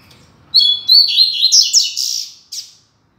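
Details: Double-collared seedeater, caged tutor bird, singing firm and loud: an opening pair of pure high whistles followed by a fast jumble of buzzy, warbled notes, ending with a short separate chirp before silence.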